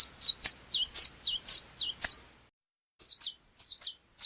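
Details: Saffron finch giving a phrase of loud, clicking, high slurred notes, a short silent gap, then a second quicker phrase of similar bright chips.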